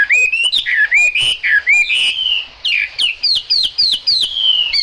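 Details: Chinese hwamei in the rain, giving loud varied whistles: rising slurred notes, sweeping phrases and a closing series of quick repeated upward whistles, roughly four per second.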